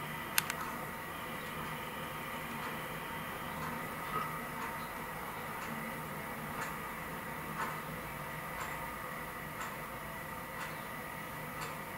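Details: Steady hum and hiss with faint regular ticks and a sharp click near the start, and no animal sounds.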